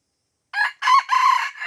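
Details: A crowing red junglefowl of Aceh, Indonesia, hemmed in by young birds yet unwilling to fight: a loud, hoarse broken crow, a clipped first note then two longer rasping syllables, cut off as a fourth begins.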